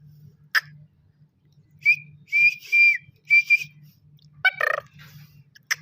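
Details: Black francolin, a young bird of good stock described as calling for the first time; a run of harsh, rasping notes with a bright ringing tone, grouped in a quick phrase, then a louder scratchy burst, over a low steady hum.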